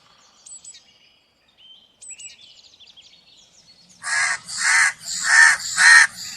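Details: Small birds give sharp, high, quick chirps, then a crow breaks in with five loud, grating caws in a steady rhythm lasting about two seconds.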